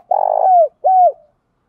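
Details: Spotted dove in the 'hạp bổi' voice style, a recording for stimulating trained doves: one low, hollow, buzzy coo slurring down, then a shorter descending coo, with no other sounds.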